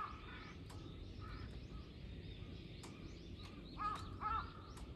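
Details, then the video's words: Crows, three, mobbing a hawk, 21 October 2023: distant scattered caws and sharp clicks, building to two loud, ringing caws near the end, against steady low background noise. "3 crows vs hawk ,カラス,까마귀"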